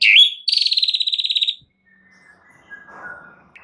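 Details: White-rumped shama song used to prompt other birds to sing: a high whistled rising note, then a rapid buzzy trill of about a dozen repeated notes, followed by faint soft calls.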